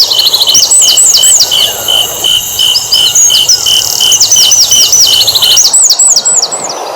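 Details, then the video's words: Asian brown flycatcher singing to provoke other birds into song: quick, high, looping whistled notes repeated in short bursts, over a steady pulsing insect-like drone and constant high tones. "SUARA BURUNG SIKATAN LONDO ,MEMANCING SEMUA BURUNG GACOR"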